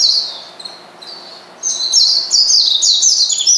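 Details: Oriental white-eye calling a rival: a few soft high notes, then a sudden loud, rapid chatter of descending chirps.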